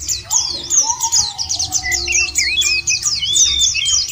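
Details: White-eye song meant to lure birds into singing; quick high twittering throughout, joined by lower drawn-out whistles from another bird, with low background noise.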